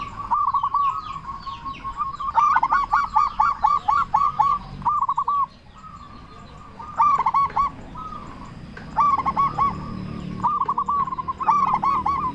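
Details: Local zebra dove from Indonesia with a big, loud voice, its calls meant to provoke other doves to respond and raise their breeding drive: repeated clusters of rapid, bubbling coos, loud bursts alternating with short pauses and softer rolls.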